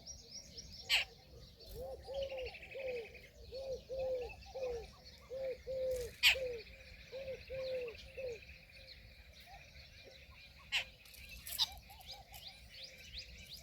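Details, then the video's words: Peahen, a female Indian peafowl, giving a run of about a dozen short, mellow, arched notes, one roughly every half second. Thin, high chirps from small birds sound throughout the background. "Peahen bird the Indian peacock/most clear sound"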